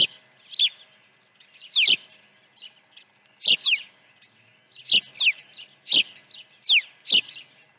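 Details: Osprey calling at a ranch nest during early feeding, 1 June 2019 around 8 a.m.: piercing downslurred whistles in twos and threes, separated by short pauses, with occasional thin clicks.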